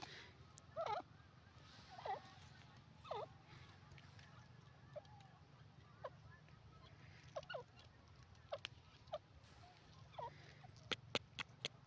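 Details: Grey francolin (teetar) calling: short hoarse looping notes repeated about once a second early on, then scattered fainter notes, with sharp clicks near the end over a low steady hum.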